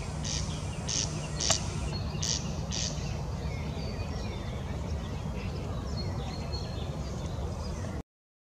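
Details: Corn crake calling: a few short, harsh, rasping bursts in the first three seconds, spaced under a second apart. After that only a steady low rumble of background noise and faint twittering remain.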